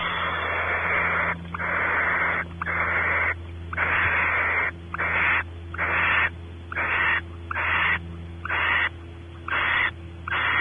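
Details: Inside a barn owl nest cavity at Audubon Starr Ranch, California, male exploring and female expecting mating: long, dense run of harsh, wheezing hisses, some lasting over a second, separated by brief gaps, over a low droning hum.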